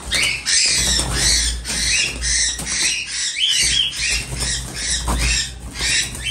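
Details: Captive cockatiel chicks kept in Pabna, whose calls the keeper uses to tell males from females for pairing. Harsh, dense, repeated squawks overlap continuously, with several birds calling together.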